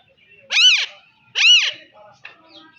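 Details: Alexandrine parakeet giving two loud, harsh screeches about a second apart, each arching up then down with rich ringing overtones, followed by faint scattered chirps.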